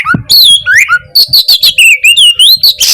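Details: Oriental magpie-robin (kacer) singing gacor style, meant to stir quiet birds into song: high sliding whistles and rapid sharp chirps, then a steady run of wavering whistled notes ending in a rasp.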